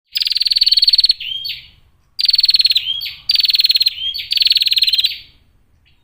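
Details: Female Bar-winged prinia calling clearly, kept as a lure to make other prinias sing and fight: three loud bursts of rapid, buzzy ticking trill, each ending in a rising whistled slur, repeated about every two seconds.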